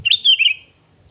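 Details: Lure song of a sooty-headed bulbul, used to provoke rival birds. A quick, loud phrase of warbled whistles slurs downward in three linked notes, then falls to silence.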